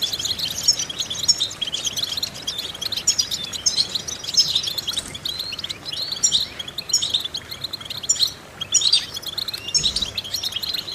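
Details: European goldfinch song for stimulating goldfinches, a training exercise: lively high twitters broken into clusters, with sharp sweet whistles and liquid notes repeating every second or so.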